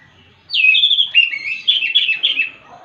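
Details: Orange-headed thrush singing relaxed in the morning, its song prompting other thrushes to join in; a rich warbled phrase of varied whistled notes, sliding and trilling, lasting about two seconds.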